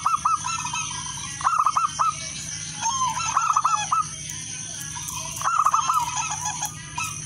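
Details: Zebra dove, local wild type, singing to draw other doves into song: overlapping phrases of rapid rolling coo notes, possibly more than one dove answering, with a shrill continuous background tone.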